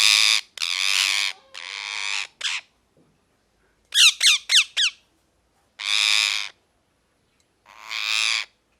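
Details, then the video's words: Parrot calling with harsh, loud squawks, some long and buzzy and others short and rapid in a quick burst of four, separated by brief pauses. "Parrot Chirping Sounds | Natural Parrot Sounds | Parrot Calling Sounds"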